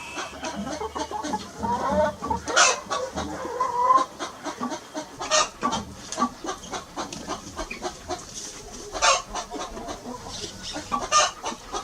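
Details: Chicken sitting in a tree, uttering a run of rapid repeated clucks with a few drawn-out tonal notes early on, mixed with frequent sharp clicking and rustling sounds.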